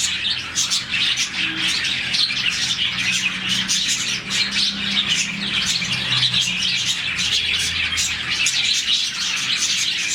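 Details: Around 40 budgies in a colony fill the morning with happy chirping; dense overlapping twitters and some harsher squawks, with faint low hum underneath.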